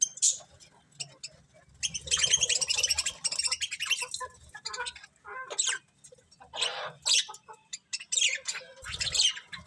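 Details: Colourful pet budgerigars chattering, dense bursts of scratchy high chirps and warbles in long runs broken by short pauses, with faint low rustling beneath.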